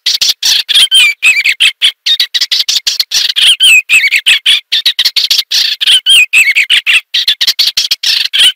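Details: Eastern olivaceous warbler singing a steady, rapid chatter of harsh notes mixed with squeaky, slurred whistles. The song continues throughout with tiny gaps.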